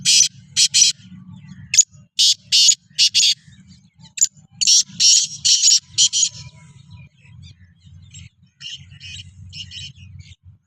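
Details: Black francolin (kala teetar) kept with other francolins to prepare for chakri calls repeatedly: bursts of coarse, grating, broadband notes in clusters, the later ones fainter, above a persistent low hum.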